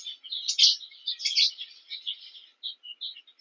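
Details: Several Cape weavers chatter while building nests by a King Protea, a busy tangle of harsh, sizzling notes early on, then thinning to separate short chips and squeaks toward the end.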